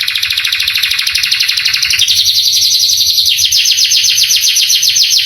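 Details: Canary song meant to excite young canaries into answering: dense rapid buzzy trills, shifting pitch twice in a steady high rattle.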